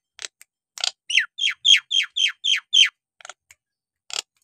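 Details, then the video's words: Nias hill myna in energetic song, used to provoke untrained or lazy mynas into singing: a brisk run of about eight loud, sharp down-slurred notes, each falling steeply, framed by short harsh rasps before and after. "jalak nias gacor!! buat terapi jalak nias bahan atau yg malas bunyi agar gacor kembali"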